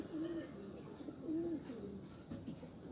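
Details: Rare Australian pigeons give low, soft coos: two slightly rising-then-falling rolled phrases about a second apart against a constant low hum and hiss.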